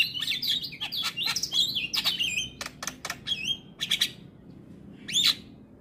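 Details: Javan myna singing actively with varied filler, meant as a tutor for young mynas: a fast run of squeaky warbled notes and sharp clicks, a pause, then one bright rising whistle.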